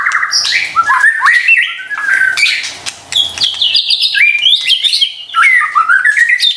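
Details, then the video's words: White-rumped shama song used as a lure to stir stressed or silent caged shamas into singing: rich, varied phrases of slurred whistles and sharp chirps, rising and falling, with brief pauses between bursts. "PANCINGAN murai batu STRES dan MALAS BUNYI seketika LANGSUNG nyaut dan GACOR dengar suara INI"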